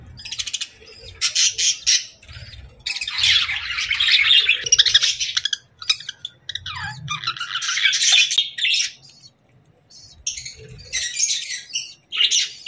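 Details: Chirping bird in a long, busy run of harsh, buzzy chatter and squawks, broken by brief pauses. Faint low hum in the background.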